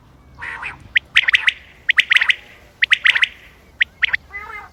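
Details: Common quail, 28 May 2025, as a hunting call: a hoarse nasal note opens the clip, then snappy triple-pip phrases repeat about once a second and end with a soft, buzzy sound.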